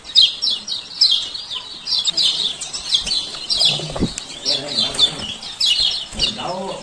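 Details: Male lemon-bellied white-eye from Lombok, 'ciak ciak' lure calls to restart a silent bird's singing; high chirp bursts throughout, with lower murmuring sounds in the background during the later part.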